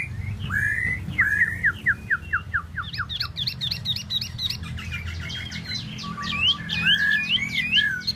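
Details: Tieu mi bird delivering a fast run of sharp, upswept chirps repeated about twice a second, turning into denser high twittering and clipped whistles near the end, with a constant low background hum.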